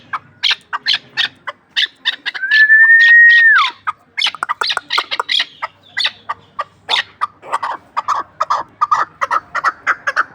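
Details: Repeated clucking chuk notes from an Ishkoshim hunting chukar partridge, interrupted early by a sustained whistle that falls at its close, then continuing in a quickening series.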